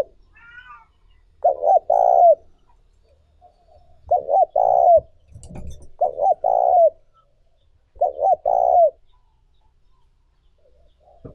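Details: Spotted dove cooing in a recording used to excite and train decoy doves: four low phrases about two seconds apart, each a quick double coo followed by a longer, throaty, slightly falling croo.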